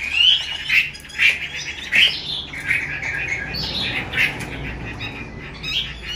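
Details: Female Chinese hwamei in a cage giving 'xùy' and 'te dụ' calls meant to excite male birds: sharp clipped notes repeated roughly twice a second, with scratchy chatter between them.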